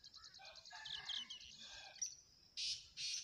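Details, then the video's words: Young tailorbird uttering quick high chirps in a fast series, then two loud hissy bursts near the end. "Beautiful baby tailor bird"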